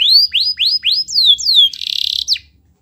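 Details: Loud canary song meant to get reluctant canaries singing: a series of upslurred whistled notes, two long falling whistles, a brief buzzy trill and a final swoop, over a quiet background.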